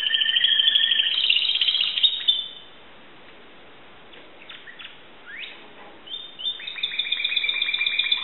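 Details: Timbrado canary kept by its owner in Greece, recorded in 2009, singing: dense, high rolling trills for about two seconds, a near-silent pause broken by a few faint notes and quick upward sweeps, then fast, evenly repeated trilled notes resume.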